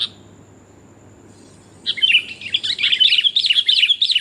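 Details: Lure call of a sooty-headed bulbul, a female summoning the male: near silence for almost two seconds, then a dense, continuous chattering of bright, jumbled chirps that grows louder and stays busy to the end.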